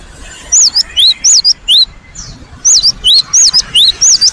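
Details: Cinereous tit (gelatik batu) in full, energetic song: two bursts of high, sinuous whistled notes, each rising then dipping, repeated quickly in phrases of about five notes with a short pause between.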